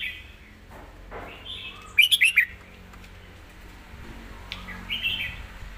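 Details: Red-whiskered bulbul in a master-song style: one short burst of four quick, bright warbled notes mid-way, with softer distant phrases and low background hum around it.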